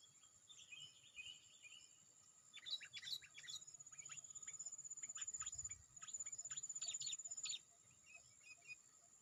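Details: Sooty-headed bulbul calling to draw rivals, with other bulbuls answering. Quick bursts of sharp, bright chips and short trills run back to back. A steady high insect whine and cricket chirps continue underneath.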